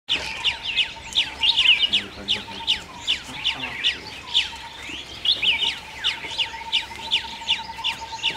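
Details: Chestnut-tailed starling calling: a dense, continuous run of short, sharp downslurred chirps that overlap in quick succession, with a steady faint hum underneath.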